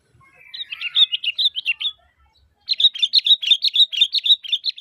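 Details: Calling sooty-headed bulbul, played to get other bulbuls to reply: a bubbly phrase of chirps, a pause, then a brisk run of sharp repeated notes.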